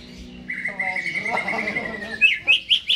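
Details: Greater green leafbird in a cage, singing jamtrok style before being hung up: a long steady whistle drawn out for over a second, then four sharp upward-flicked chirps.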